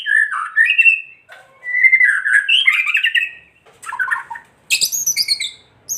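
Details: White-rumped shama kretekan, used to provoke other shamas into singing: rich warbled phrases that rise and fall, sliding whistles, then a burst of higher, sharper notes near the end.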